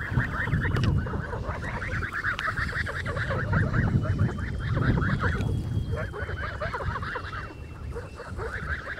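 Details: Three-month-old blue Muscovy ducks kept on a farm, recorded 19 July 2017: a dense flock chorus of short, hoarse, honking calls, rapid and overlapping without a steady rhythm, over low rumbling wind noise and a faint steady high tone.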